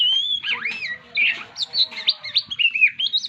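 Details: Stressed captive white-rumped shama prompted to resume singing: a fluid run of looping whistled phrases, upslurs and downslurs, brief pauses, then rapid chattering notes, over a faint low hum.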